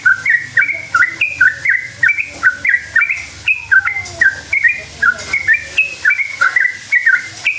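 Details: Long rolling song of a sooty-headed bulbul, played to draw other bulbuls into calling back; a steady stream of short liquid whistled notes, bending up and down, in quick groups about every half second, faint background hum.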